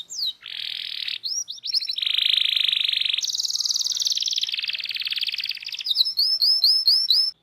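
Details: Canary from an Indonesian local strain, recorded as a training song full of rolls: a long unbroken buzzy trill shifting pitch over several seconds, ending in a rapid series of about eight bright rising whistles.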